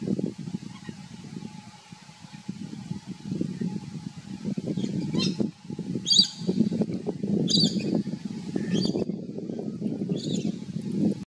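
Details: Red-collared lorikeet (Trichoglossus rubritorquis), call.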